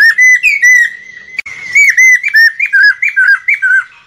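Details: Lesser necklaced laughingthrush singing to lure birds into a trap: a run of loud, ringing whistled notes, each a short slurred dip, repeated quickly and steadily, briefly broken by a click before resuming.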